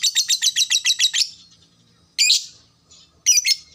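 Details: Lovebird chattering, the long 'ngekek' of a fighter lovebird, used to trigger a fast chattering reply: a rapid run of about ten sharp, high chirps at roughly eight per second, then two brief harsh bursts after pauses.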